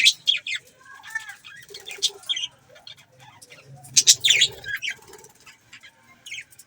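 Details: Several budgies chirp and warble, a busy mix of bright high chirps, short rising whistles and scratchy notes in uneven bursts, with louder clusters near the start, middle and end and a soft low hum beneath.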